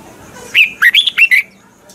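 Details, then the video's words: Red-whiskered bulbul kept caged, singing its double-note song used as a tutor for other birds: one crisp phrase of five loud whistled notes, the first rising, the rest bouncing and dropping. "luyện giọng cho chào mào sáng, Hót hay nhanh căng. chào mào hót âm kép già rừng hay tuyệt!"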